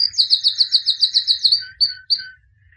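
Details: Albino white canary, described as a 2017 champion, delivering a quick even trill of bright notes, about eight a second, that ends in two separate whistled notes with slight falling tails.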